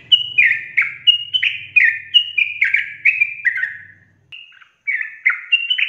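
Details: Sooty-headed bulbul delivering a lively long rapid-fire song to trigger fast singing in other bulbuls: repeated falling whistled phrases, a soft low rumble underneath at first, then a short pause before more notes.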